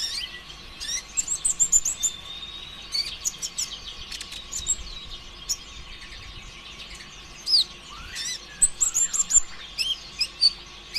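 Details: Konin ijoan, the olive-backed sunbird, pouring out rapid song used to get other birds singing: clusters of shrill high trills and sharp chips, with pauses between bursts and some falling whistled slurs.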